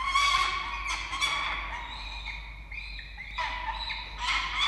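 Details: Peregrine falcons in Australia, a male bringing a live starling to the female, which she refuses: loud, harsh, harmonic wailing calls repeated in long runs, with a steady low hum underneath.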